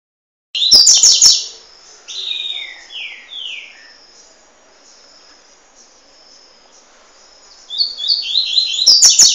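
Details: A young Double-collared Seedeater at Peruíbe gives rapid, high, thin chirps in bursts at the start and end, with a few softer, falling slurred notes between.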